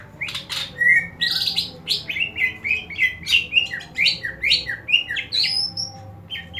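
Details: Greater green leafbird giving a fighting call, used to train the fighting spirit of other leafbirds: fast, varied run of sharp chattering and whistled notes, rising and falling, with a low hum behind.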